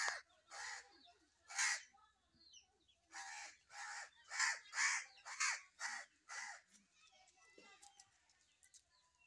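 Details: Harsh crow caws repeated about a dozen times at irregular intervals, some in close pairs, with faint twittering of small birds in the background.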